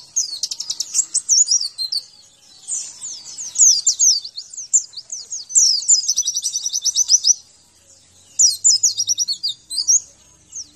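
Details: Javan white-eye song used as training material for caged birds: rapid bursts of high, thin, sharply slurred twittering notes in long runs, with a short pause before a final chattering phrase.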